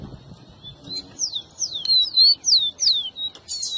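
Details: Rufous-collared sparrow song played to stimulate a pet bird to sing: a run of high, clear whistled notes, each slurring steeply downward, repeated about three times a second after a soft opening note, with faint low background hum.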